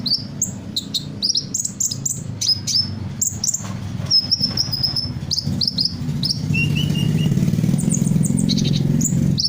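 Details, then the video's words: Sunbird singing loudly, imitating a variety of bird calls: high chirps and falling whistles, then a short trill and thin high notes, against growing low rumbling background noise. "Burung Kolibri gacor, menirukan berbagai suara burung"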